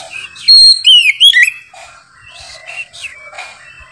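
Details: An Oriental magpie-robin, unceasingly singing with a very loud, bright voice, gives a loud burst of clear, sweeping whistles, rising and falling, then quieter, scratchier phrases trail off over the next two seconds.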